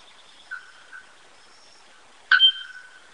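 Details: Bare-throated bellbird (araponga) giving one loud, sharp metallic clang with a ringing tone that fades slowly, preceded by two faint softer notes in a quiet setting.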